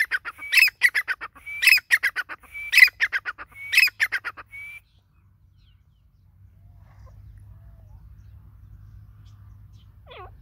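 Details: Grey francolin, locally called dakhni teetar, gives a loud series of harsh, clipped notes about once per second, each burst mixed with a short rising whistle. The notes stop after about five seconds, leaving faint low rumble.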